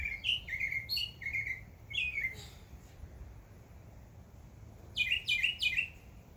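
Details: Backyard birds on a summer day: a lively series of short, downward-sliding chirps, a quiet gap, then a fast cluster of four bright chirps near the end.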